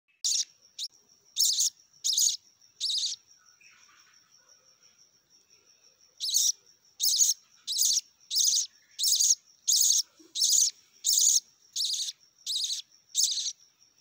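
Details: A one-day-old budgerigar chick being hand-fed gives thin, raspy high peeps, repeated in quick regular bursts.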